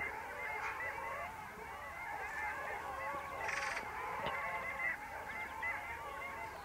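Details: Long-tailed ducks at the Vistula mouth in winter, 8 February 2013: a dense, continuous chorus of overlapping nasal, yodelling calls from a flock, with brief louder bursts around the middle.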